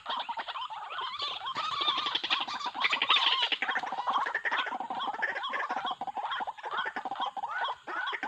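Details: Trapping lure of white-breasted waterhen: a loud, continuous chorus of overlapping croaking and squawking notes, harsh and rapid, with little pause throughout.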